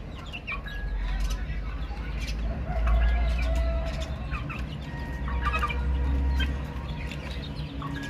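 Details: Chicks chirping: scattered high, short peeps and a few longer level whistles come in loose clusters, partly covered by a loud deep rumble that swells and fades through the recording.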